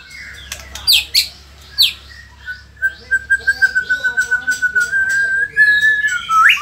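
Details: White-rumped shama in Indonesia delivering sharp high notes followed by a long, even, pulsing whistled trill that rises slightly before ending with an upward sweep.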